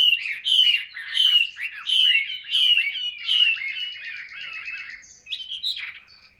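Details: Caged Chinese hwamei from Vietnam singing a 'ngũ trường cao cầu' style song: loud, rich whistled phrases repeated about every two-thirds of a second, warbling and slurred, fading into softer broken notes near the end.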